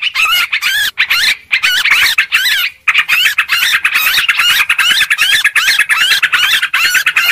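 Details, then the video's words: Sooty-headed bulbul calling noisily for luring birds: an almost unbroken stream of warbled, bubbling notes with a short lull near the middle, loud and busy. "suara pikat burung trucuk ribut"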